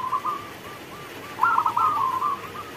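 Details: Local zebra dove singing while rain falls: one brief, dense burst of rolling coos rises out of faint, spaced purring notes, over a steady hiss.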